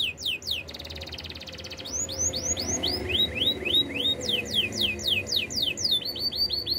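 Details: Canary song for training other canaries: rapid series of sweeping whistled notes, a buzzy trill near the start, then repeated rising and falling slurs in quick runs of varying pitch, with faint low hum beneath.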